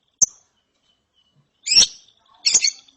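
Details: Lovebird chick after therapy: one sharp click-like note, a pause, then two rough buzzy chirps close together.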